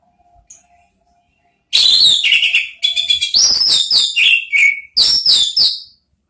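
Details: Orange-headed thrush (anis merah) singing a trigger song meant to draw out loud calls in other birds, in a chattering ngeriwik style: after a faint quiet start, rapid high whistled and buzzy phrases sweep up and down in dense bursts for four seconds.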